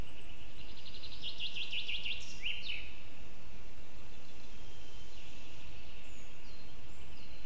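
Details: A lesser spotted eagle mother feeding her eaglet at a nest about 20 m up a birch in Zemgale, Latvia, on 6 June 2024, gives a quick run of six or seven high yelping notes, then two more, over low wind rumble.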